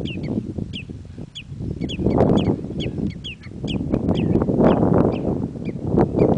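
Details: Red-necked phalaropes, shown copulating, give short, sharp, high call notes in a quick, uneven series of several per second, over a steady low rumble of wind or water.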